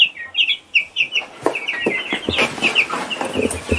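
Shrill, high peeps from a baby chick, short notes coming several per second, with soft scratchy thumps underneath.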